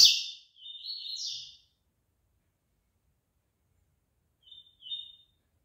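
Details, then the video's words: Collared seedeater males being warmed up for the next day's song contest: a sharp high note, then a fluttering, warbled phrase of about a second, silence, and a short two-part whistled phrase near the end. "COLEIROS FALCONE E CAVEIRAO NA MEXIDA PARA O TORNEIO DE AMANHA"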